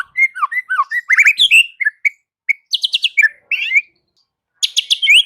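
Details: White-rumped shama singing a varied run of rich whistled notes, quick rising slurs and chattering bursts, with bright stuttered phrases and pauses. A final burst brings high, repeated clicking notes and an upslurred whistle.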